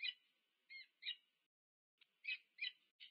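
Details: Peregrine falcon pair at a nest at UC Berkeley, USA, 2 November 2022, nest camera; drawn-out hoarse wailing notes, then after a short gap a burst of rough, rising chatter.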